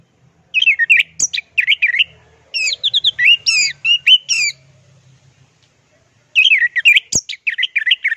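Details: Orange-headed thrush singing a 'teler' style master song. Bursts of varied whistled, slurred notes come in quick rising and falling phrases, with a pause midway before the phrases resume. One sharp click is also heard.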